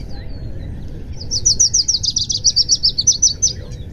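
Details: Lucy's Warbler in Tucson, southeast Arizona, in March (returning migrant, around Rio Vista), gives a bright, high, rapid chattering trill of about a dozen sweet notes over two seconds; low mourning dove cooing and background rumble underneath.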